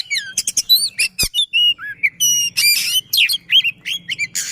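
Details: Rapid, unbroken song from an Oriental magpie-robin, with rolling shot-like phrases aimed at stirring silent magpie-robins. Sharp whistled slurs mix with buzzy, noisy bursts and one loud click, all over a faint low hum.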